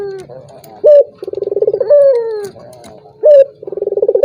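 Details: Calling turtle dove, a lure meant to goad a silent rival into calling. A short, loud, steady note is followed by a rapid rolling coo and a drawn-out downward-sliding tone, and the sequence repeats.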